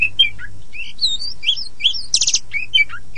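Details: Oriental magpie-robin, poci variety, in a lure recording to set silent birds singing; quick series of bright whistled slurs and chirps, one loud rasping burst near the middle, faint hum underneath.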